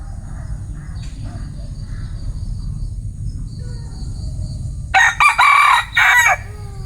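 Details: Bantam rooster letting out a strong, raspy crow in several loud segments near the end, with fainter earlier calls and a continuous low rumble beneath.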